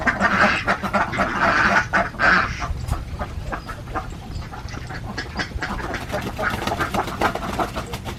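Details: Alabio ducks, a breed endemic to Borneo (Kalimantan), kept on a farm in Central Java; several birds give rough, nasal quacks in quick irregular bursts, loudest in the first two seconds, then a softer continuous chatter of overlapping calls.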